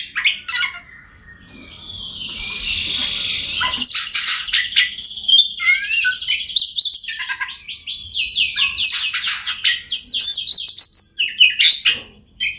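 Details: Oriental magpie-robin singing, meant to coax mute birds into song: a long sustained whistle, then rapidly pulsing buzzy trills and sharp chirps crowded together at a high pitch.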